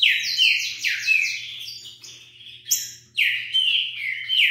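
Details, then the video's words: A wild green-winged saltator sings loud, rich whistled phrases, sliding and slurred, in quick bursts with brief pauses between, at about 40 songs per minute. "Trinca ferro Selvagem passando 40 canto por minuto."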